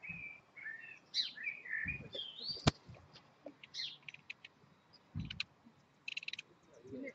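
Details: Robins feeding their five three-day-old chicks at the nest: thin, high chirps and squeaky notes come in bursts, with quick repeated ticking near the end and soft low rustles and thumps around the nest.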